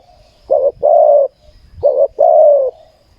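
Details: Spotted dove used in ground decoy trapping, cooing in low mellow phrases: a short coo followed by a longer drawn-out one, the two-part phrase repeated twice.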